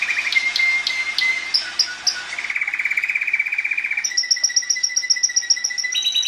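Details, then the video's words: Timbrado canary, a kept song canary, singing a string of trilled tours: short steady notes give way to a long, even rattling trill, then a fast pulsed roll with higher metallic notes layered above it. "CANARY SINGING"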